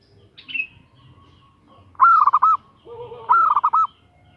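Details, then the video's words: Female zebra dove calling to tempt a male: two bubbling, rolling coo phrases in quick succession, with a high falling chirp from another bird before them and a lower soft coo just before the second. "SUARA BETINA GACOR MENGGODA JANTAN‼️Perkutut Betina Memanggil Jantan"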